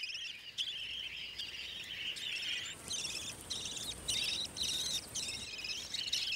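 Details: Budgerigar chicks, young nestlings fed by the female in a tree hollow along the gorges of Australia's central ranges, give a constant high, buzzy chatter of overlapping raspy chirps, with louder squeaky bursts every second or so.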